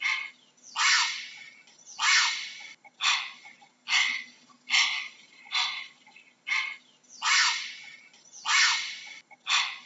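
A heron gives harsh, raspy squawks, about nine in ten seconds, each a short hoarse burst with a faint low hum beneath.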